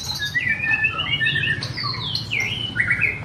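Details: White-rumped shama singing and dancing: a run of clear whistled notes and slurred glides, some rising, some falling, with a sharp upslur near the end, over a steady low hum.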